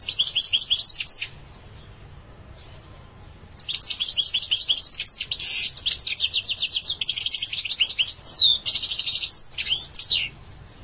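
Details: European goldfinch singing: fast tinkling, twittering phrases of buzzy and liquid notes, a first burst of about a second, a pause, then a longer run of varied chatter with trills and slurred whistles.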